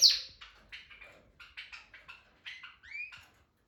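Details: Harz canary practising his singing: a halting series of short chirps and brief warbled notes, spaced roughly every third of a second with small pauses, ending in a rising whistled slur; quiet indoor background.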